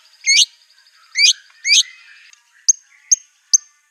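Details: Sparse phrase from a white-rumped shama whose aggressive song mixes in canary, cililin and cungkok imitations: three rough rising buzzy notes about half a second apart, then three thin sharp high chips.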